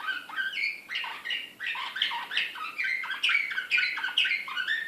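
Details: A Slavujar, the Serbian song canary, excited, in Belgrade, 2016: a dense stretch of quick tumbling notes, sharp chips and sweeping whistled slurs, repeated in short bursts at a brisk, uneven pace.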